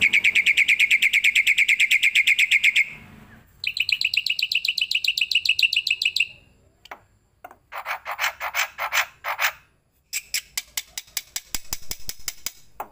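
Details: Starling song compiled as master training audio for other songbirds: a long fast train of sharp high chirps, then another chirp series, rougher buzzy bursts and a closing run of rapid clicking notes.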